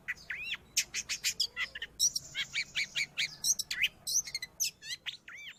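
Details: Long-tailed shrike song used to train pet birds or lure wild ones: a varied medley of arched whistles, quick chips and trills, each phrase different, delivered in a lively, jumbled stream.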